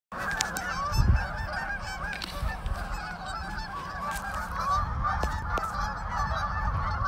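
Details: A very large flock of geese, numbering in the thousands, on a pond, giving a dense, continuous chorus of overlapping nasal honks with a steady crowd-like roar beneath.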